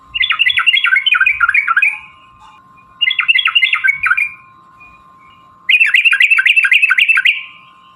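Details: Sooty-headed bulbul's long, rapid 'ropel' song used as a lure for other bulbuls: three bursts of fast bubbly warbling, each lasting one to two seconds, separated by short pauses, with a constant electronic whine.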